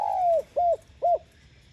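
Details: Spotted dove coo meant to lure other doves: a long slowly falling note followed by two short arched coos, evenly spaced and mellow.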